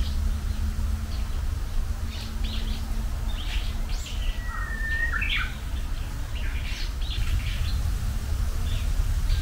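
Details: Japanese bush warbler singing its first song of this spring. A short level whistle breaks into a tumbling flourish of notes, with plenty of high chirping from other birds before and after, and steady low hum.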